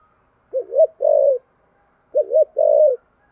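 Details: Spotted dove cooing in the thổ sấm voice style, thúc gù manner. Two clean low phrases about one and a half seconds apart. Each is a rapid wavering double note followed by a longer, even coo, against a quiet background.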